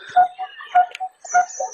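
Coppersmith Barbet giving its hollow, metallic tuk notes, one roughly every 0.6 seconds, like a hammer tapping metal; faint higher chirps from other birds behind.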